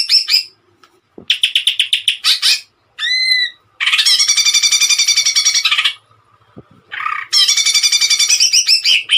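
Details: Greater green leafbird in captivity delivering energetic song: bursts of harsh rapid trilled notes, a clear rising whistle, and long fast chattering runs with short pauses between phrases.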